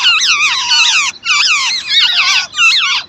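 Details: Young birds receiving food from their mother call in dense, warbling squeaks, notes rippling up and down in four quick bursts.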